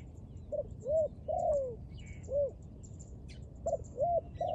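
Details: Soft, low cooing from a dove, given as rounded, arching notes that come singly and in short groups with brief pauses between. Light chirping of small birds is heard behind it.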